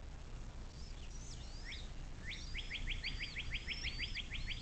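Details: Bald eagle calling at a nest on the Little Miami River near South Lebanon, southwest Ohio, USA, filmed 6 April 2024 at 17:23 by a nest camera. A rapid series of about ten sharp, evenly spaced notes, with high whistling songbirds and steady background hiss.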